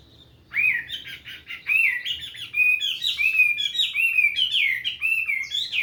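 A Chinese hwamei sings a loud, rich run of varied whistles and slurred phrases.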